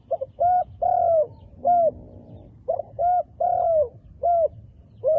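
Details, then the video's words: Repeated cooing phrases from a wild dove with dark black feathers, each a quick double note, short coos and one long dipping coo, about twenty-three per minute. "យូៗជួបមួយលលកព្រៃរូបស្អាត រោមឌិតខ្មៅ"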